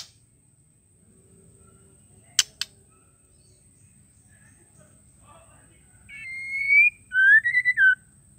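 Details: Two sharp clicks, a quiet pause, then a female White-rumped shama calls once to prompt males to sing: a steady whistle, then a stuttering, rising whistled note with a short falling end.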